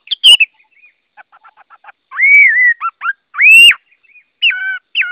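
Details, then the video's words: Hwamei song of loud whistled phrases, a long slurred note rising then falling, quieter ticking notes between, and strong upswept whistles with harmonics, separated by short pauses. "Tiếng Họa Mi hót | The sound of the bird Garrulax canorus"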